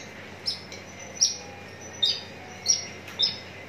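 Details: Javan bush lark from Citra Raya, Cikupa, Tangerang, Indonesia, ready for singing contests, gives five short, high, slightly buzzy notes at uneven intervals of under a second.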